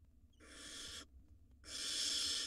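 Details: Wild barn owl nestlings in a monitored nest box, swallowing rodents: two broad, harsh hissing screeches, each under a second, with a short pause between, over low background rumble.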